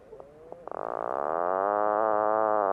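A puffin gives a low, groaning drone that starts in stuttering pulses, then settles into a steady, rasping moan. A faint thin whistle comes just before.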